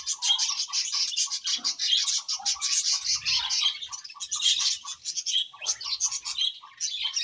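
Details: Happy budgerigars chirping together, a dense stream of bright warbling twitters and short clicks, busy and continuous with brief dips in loudness, no other sounds.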